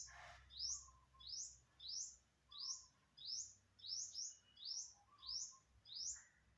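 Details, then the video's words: On 27 September 2022, an unidentified bird repeats sharp, high rising whistles roughly every 0.6 seconds, ten in all. Softer, lower notes are heard underneath, along with a faint low rumble. "Successfully Recorded the Bird Sound"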